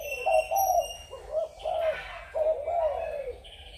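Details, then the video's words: Low, mellow spotted dove coos from Malaysian, Thai or Cambodian birds, recorded 21 November 2022: a short phrase of three rounded notes, a pause, then two longer drawn-out coos, with faint high chirping behind. "cu gáy malaysia,thailan,campuchia"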